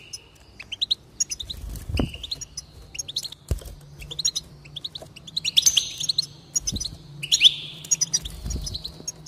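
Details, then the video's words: Goldfinch song meant to stimulate singing: scattered chirps and quick twitters rising into bright, buzzy jangling phrases, with a few soft low thumps in the background. "increase the enthusiasm of the goldfinch and encourage it to song"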